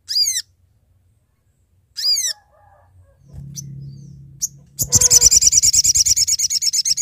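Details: Sooty-headed bulbul calling companions as a trapping lure: two bright, arched harmonic notes, then a low steady hum and a fast, scratchy, pulsed chatter filling the end.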